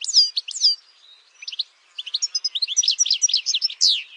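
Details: European goldfinch, campero singer: a few loud slurred notes, a pause, then an accelerating string of tinkling chirps ending on a strong downslurred note.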